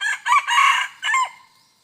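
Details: Red junglefowl crowing during junglefowl decoy luring, recorded 2 November 2021: a loud, harsh crow broken into three bursts, a short note, a long sustained middle part and a clipped final note, then quiet.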